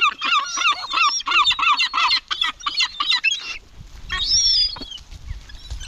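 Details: Gulls at a cemetery give a fast run of harsh, nasal yelping calls, about three per second for three seconds, then a higher, drawn-out squealing note over a low background rumble.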